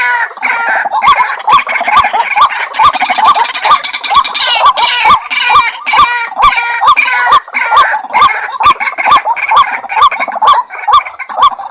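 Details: Long, monotonous sequence of rising hooked notes from a white-breasted waterhen, about two per second, interwoven with rough, rattling calls that swell and fade throughout.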